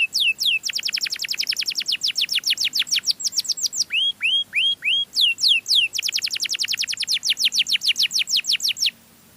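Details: Canary delivering a melodious lure song: dense rapid high sweeps repeated for seconds, four slower arched whistles in the middle, then another long fast series of down-slurs.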